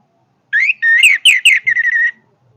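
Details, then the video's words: Orange-headed thrush singing a powerful song of clear whistled phrases, rising and sliding notes followed by a quick string of short repeated whistles at the same pitch. "kicauan Anis merah yang bertenaga"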